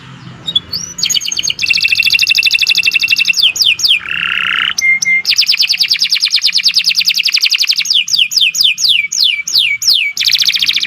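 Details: Caged Nusantara canary in long continuous song used for training other birds: extended rapid rattling trills, a harsh buzzy note, and a series of sharp descending whistles, all loud and high.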